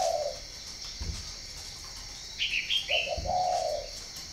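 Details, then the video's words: Spotted dove from northern Vietnam, farm-bred in Ba Vì, opens with a brief low coo. Later comes a longer two-part coo, with a few high chirps from another bird and soft knocks in between. "chim cu gáy hay miền bắc"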